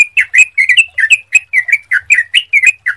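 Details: Sooty-headed bulbul song used as a lure to prompt other bulbuls to sing: clear, rapid run of short whistled notes around the mid range, each slurred up or down, tightly repeated for three seconds.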